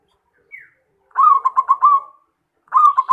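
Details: Local zebra dove singing, played as a lure so other doves answer: a brief high note, then a rolling phrase of about six staccato coos, followed by the start of another phrase.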